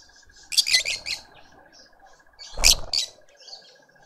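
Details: Lovebirds feeding a juvenile in a Pretoria suburban garden, South Africa: a fast stutter of high squeaky notes, then a loud harsh squawk after a pause, over faint background twittering.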